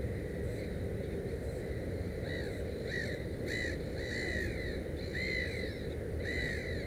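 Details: A Black-headed gull at its nest with three chicks calls repeatedly with harsh, arched, nasal cries, some longer and drawn out, over steady low background noise.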